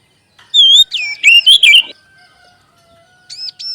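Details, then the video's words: Oriental magpie-robin lure song, used to prompt other magpie-robins to sing and to boost their confidence: clear whistled phrases sliding between mid and high pitch, a rapid burst of four notes, then two paired arched high notes after a pause. "SUARA PANCINGAN BURUNG KACER AGAR CEPAT BUNYI DAN GACOR"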